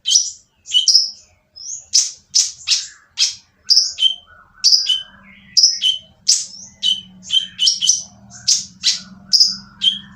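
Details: Noisy oriental magpie-robin song used to provoke others to sing: a continuous run of loud, scratchy falling notes and high whistles for ten seconds, with a faint low hum in the background during the later part.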